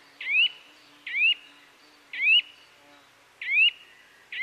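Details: Birdsong for relaxation, a bright upward-rising whistled chirp repeated five times at near-regular intervals of about one second, against a quiet faint hum.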